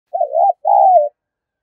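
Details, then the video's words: Spotted dove played as decoy calling to provoke wild doves into cooing and calling: one mid-pitched two-part coo, a wavering first note and then a longer smooth note sliding gently down, in clean silence. "Tiếng chim cu gáy kích bổi thúc gù và gáy gọi"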